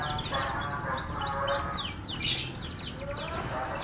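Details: F1 canary singing melodiously: quick rising and falling whistled sweeps and short chirps, fairly high-pitched, over a steady low hum and faint background noise.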